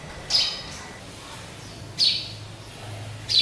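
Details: Three bright, high chirps from a caged sparrow, spaced more than a second apart, against a low background hum.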